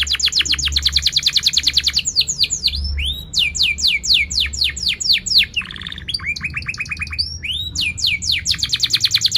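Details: Chatty canary song with sharp cuit-cuit notes and rolling trills, played as a tutor for young canaries learning to sing; long rapid rattling trills alternate with rising and falling whistled sweeps and bursts of sharp chips, all high-pitched.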